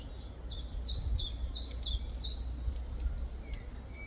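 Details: Great tit calling: a quick run of about seven high, sharply downward-slurred notes over the first two seconds, then a few fainter scattered notes, with a steady low rumble of background noise throughout.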